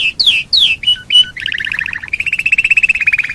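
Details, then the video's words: Domestic canary song played as a lure for other canaries: a few loud falling whistles and short notes, then a fast bubbling double-note trill and a level, rapidly pulsing roll. "Pancingan burung kenari super ampuh"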